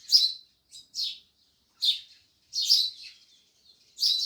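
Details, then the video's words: Loud sparrow chirps in quick irregular bursts, several run together into a twittering cluster, with no other sounds. "Sparrows Loud Chirping Sounds"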